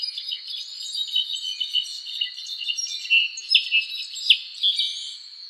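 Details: Azure-rumped tanager song: a busy run of sharp, high chirps and short twittering notes, loud and uneven in rhythm, over a steady high insect drone and faint arched whistles from other birds.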